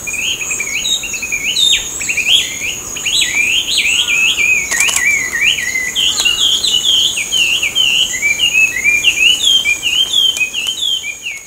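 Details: Chinese hwamei, a feral bird descended from escaped or released imported cage birds, sings in a park with ducks and coots, pouring out a loud, unbroken run of rich, varied, swooping whistles over a thin, high insect-like whine.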